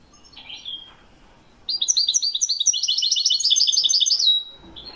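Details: European goldfinch from Morocco singing in the Widani style, 2021: a short slurred note, a pause, then a fast tinkling run of high twittered notes, about two and a half seconds long, ending in a drawn whistle.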